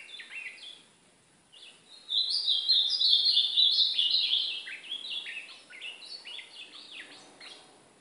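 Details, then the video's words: Ultramarine grosbeak, brown-plumaged bird, from an hour-long training recording that also features golinha song; rapid warbled phrases of high, sliding whistled notes, loudest in a dense burst from two to five seconds, then shorter repeated chirpy figures. "1 hora de treino de azulão pardo é golinha meu azulão pardo fogueando"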